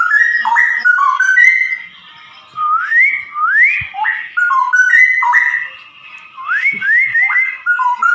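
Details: Straw-headed bulbul, called cucak rowo, singing ropel against a samyong: loud, pure whistled phrases with long upward glides and sharp downward drops, separated by short silent gaps.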